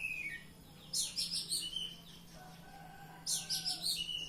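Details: Caged Oriental magpie-robin (kacer) singing in the ngeplong style: two loud bursts of rapid, buzzy, high chattering notes about two seconds apart, separated by softer whistled tones and a low steady hum.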